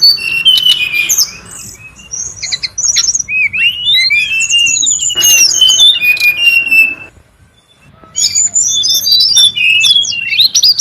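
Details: Noisy calls of wild brown-chested jungle flycatcher: a dense stream of sharp whistled notes, rising and falling slurs and squeaky chips. The calling breaks off into near-silence for about a second, then returns just as busy.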